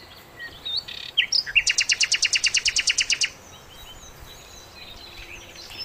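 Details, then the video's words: Flycatcher (sikatan londo) in full song, a very melodious master recording for training songbirds: a few thin whistled notes, then a fast, even trill of about fifteen sharp doubled notes over under two seconds, then quiet. "masteran mewah sikatan londo gacor"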